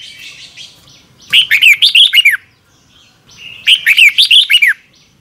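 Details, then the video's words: Morning song of a red-whiskered bulbul, double twisted voice style, played for training wild-caught birds: two nearly identical phrases of bubbling, curling whistles about two seconds apart, each ending on a falling note. "Luyện chào mào hót sáng 2022 - Hót hay nhanh căng lửa | Ép bổi Giọng xoắn kép"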